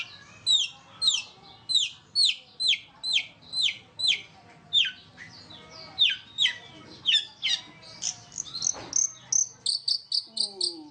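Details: Long-tailed shrike in 'roll speed rapat' style: a long run of high, down-slurred notes about two per second, closing with faster, higher chirps and a brief noisy rasp near the end.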